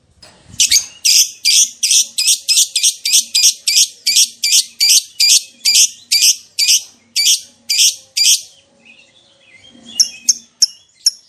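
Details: Lovebird in long 'ngekek panjang' chatter, a lure sound meant to make any lovebird respond excitedly: a steady series of about twenty harsh, buzzy, high-pitched bursts, roughly two per second, before ending in a few sharp chips.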